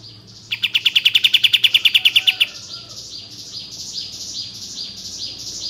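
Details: Bulbul called kapas tembak, used as a lure to make birds sing and spread their tails; a two-second burst of rapid, even chirps, followed by softer, higher chattering.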